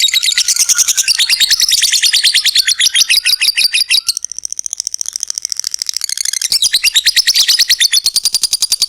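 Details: Lovebird producing a drawn-out 'ngekek panjang' trill, meant to prompt other lovebirds to sing: loud, fast, buzzy pulses repeated steadily, dipping softer around the middle before surging again.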